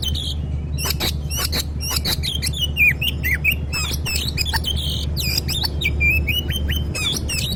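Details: Agitated oriental magpie-robin whose song is meant to make a silent magpie-robin answer: a dense run of varied whistles, rising and falling slurs, and sharp chips, over a steady low hum.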